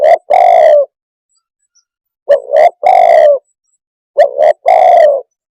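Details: Three repeats of a spotted dove phrase, each a quick paired note leading into a long rough downward croon, spaced about two seconds apart, loud and near with nothing else audible.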